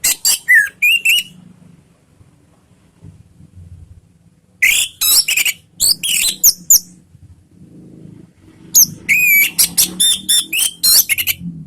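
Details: Orange-headed thrush lure song in the ngeriwik style, used to make other anis merah reply: three long bursts of rapid, varied notes, with downslurred whistles, chips and scratchy trills, divided by quiet gaps.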